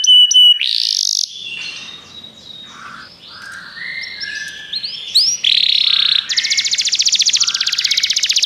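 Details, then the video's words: Canary song played to encourage singing: clear whistles and a buzzy note, softer varied warbling phrases in the middle, ending in a loud, fast, steady trill. "O som de um canário é eficaz para o seu canário cantar"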